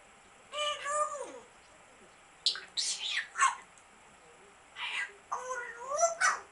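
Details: African grey parrot, a pet kept indoors, giving a series of whistled and squawky calls with rising and falling tones, in short bursts separated by pauses, inside a small room.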